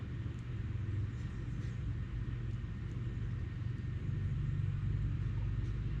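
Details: A vehicle engine rumbles steadily and grows louder near the end, with a few faint ticks and no animal calls.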